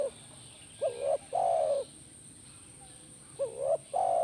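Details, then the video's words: Spotted dove (tekukur) repeating its two-note coo, played as therapy for a kept dove: an upswept short coo then a longer flat coo, heard twice about two and a half seconds apart. "Pasti Nyaut Burung Tekukur Anda Dengan Terapi SUARA BURUNG TEKUKUR INI"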